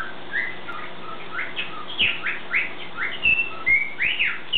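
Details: Pet bird's morning song: a string of clear whistled slurs, some rising and others falling, given in quick succession with short soft chirps between them, in a quiet room.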